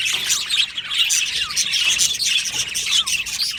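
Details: Aviary flock of budgies chirping and singing: overlapping high twittering notes with short down-slurred whistles, steady busy warble from many birds without pause.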